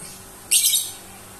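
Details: A spoiled pet lovebird that begs to be hand-fed although its dish holds plenty of food. It lets out one short, shrill, grating screech lasting about half a second, then the room falls quiet.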